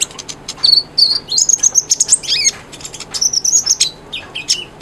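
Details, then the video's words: Konin sunbird song aimed at stimulating a silent bird: bright, very high twitters and buzzy trills in fast runs, with short slurred notes between bursts. "MASTERAN KONIN GACOR, SANGAT AMPUH BUAT PANCINGAN BUNYI KONIN YANG BISU"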